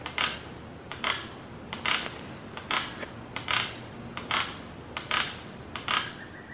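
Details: Yellow-eared Toucanet giving loud, dry, harsh, rattling croaks about every 0.8 seconds. This loud song is typical of toucans, which often sing from the canopy and subcanopy so the sound carries far.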